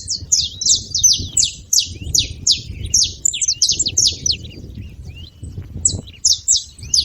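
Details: Saffron finches singing noisily, with quick bursts of bright, high, down-slurred chirps that overlap in dense phrases, a lull, then a few final notes, over a soft low background.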